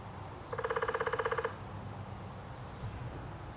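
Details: Downy woodpecker drumming at Lake Dallas, Texas: a single rapid roll of about twenty evenly spaced taps lasting roughly one second, over a steady low outdoor rumble.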